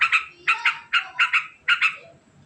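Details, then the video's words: Trucukan, or yellow-vented bulbul, giving fast 'ngekek' chatter: a few rough, buzzy paired notes spaced about half a second apart, loud and close, against a quiet background. "Suara Unik Burung Trucukan Ngekek Panjang Sangat Cepat Bikin Nyaut"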